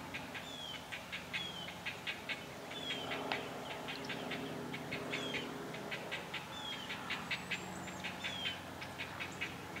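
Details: Hungry great blue heron chicks at a pine-tree nest give repeated short ticking chirps, about one per second. Thin, falling whistled notes from another bird are mixed in.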